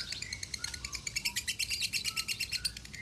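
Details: Lovebird singing the konslet style from Salatiga, a tutor recording said to reach 8400 contest points: fast, buzzy chattering notes repeated almost three times per second in a steady trill, with a few lower whistled slides.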